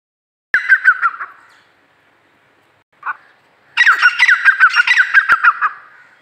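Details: Black francolin pair, calling in two loud bursts of harsh, grating, rapidly repeated notes, a short first phrase, a brief isolated note, then a longer rattling series of about a dozen notes.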